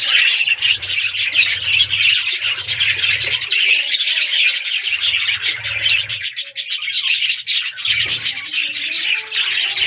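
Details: A breeding colony of colourful budgies keeps up a steady wall of high, chattering chirps and squawks, many birds calling at once without pause.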